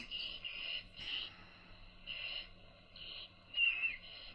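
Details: Baby owls fed by the mother give short, wheezy hissing bursts in an irregular series, ending with a sharper, louder rasping screech.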